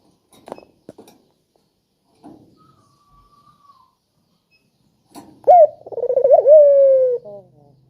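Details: Spotted dove, described as having a sharp, melodious voice and used to coax reluctant doves into calling. A few soft taps and a thin faint whistle come before one phrase: a clipped rising note, a quick burbling roll, then a drawn-out descending coo.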